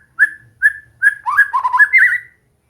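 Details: White-rumped shama during singing practice: two spaced short whistles, then a fast warbling jumble of lower notes rising into a longer bright whistle.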